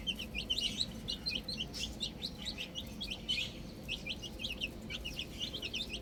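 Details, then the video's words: Baby chicks enjoying the outdoors, many clear shrill peeps, each brief and slightly downslurred, repeated rapidly in irregular runs by overlapping birds over a quiet low hum. "Cute Baby Chicks Chirping Sounds"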